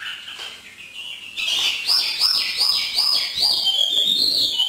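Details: Northern Vietnam Hwamei in 'hót thả' free song: high, bright whistled notes that swoop up and down, repeated in quick succession, over a faint background hum.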